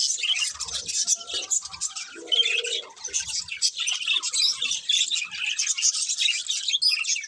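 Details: Budgerigars chirping: dense, continuous high warbling chatter with rapid overlapping trills and squeaks, several birds calling at once without pause.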